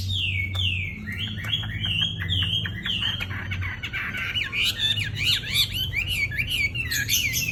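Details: Wambi singing vigorously: a run of descending whistled slurs repeated quickly, giving way to a dense stretch of sharp rising and falling scratchy notes; steady low hum in the background.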